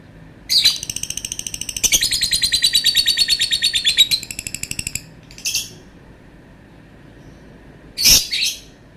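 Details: Lovebird giving a long call: a rapid, buzzy, high-pitched chattering trill of pulses lasting about four seconds, followed by a shorter burst and a sharp squeaky chirp after a pause; no other sounds.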